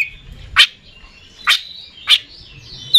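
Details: Oriental magpie-robin, a kept songbird of the kind entered in singing contests, giving sharp high chirps about every second, each a brief bright burst, with quiet background between.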